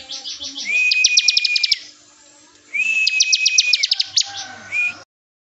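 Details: Bar-winged prinia song in the bren style for training other birds: two long phrases of quick sharp ticks above a steady whistle, then a short fragment before it stops.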